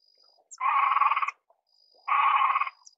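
Great crested grebe giving two harsh, grating, rolling calls, each under a second long and about a second and a half apart, with a faint thin high whistle behind.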